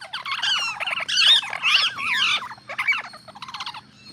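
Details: A growing group of green parrots calling together: harsh, raspy screeches and squawks that overlap in dense bursts, loud for about two and a half seconds, then shorter scratchy chatter that trails off more quietly.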